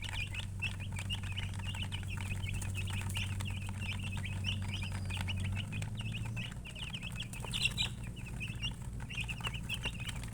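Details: Chickens' chicks peeping nonstop, dense rapid high chirps from many birds, with a loud low hum through the first half.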